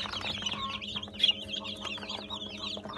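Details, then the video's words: Newly hatched Brahma chicks, part of a hatch of 80 on 17.06.18, keep up rapid, high, downward-slurred peeps that overlap continuously over a low steady hum. "YENİ ÇIKIM , SÜRÜSÜNE BEREKET 80 ADET BRAHMA"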